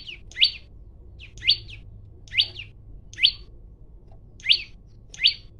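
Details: A male olive-backed tailorbird (Orthotomus sepium) challenging a rival to fight gives loud, sharp, high chip notes, about one each second, six in a row, over a faint low hum.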